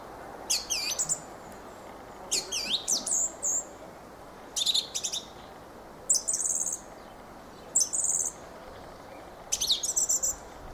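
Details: Fieldfare (Turdus pilaris) song: about seven separate bursts of harsh, high squeaky chatter, spaced one to two seconds apart, over a quiet background.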